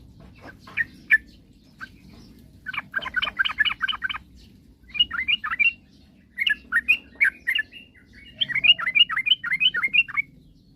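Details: Lure song of an energetic yellow-vented bulbul meant to make rivals sing quickly: scattered chirps, then rapid, evenly spaced bubbly note series, repeated in several bouts over a faint low rumble.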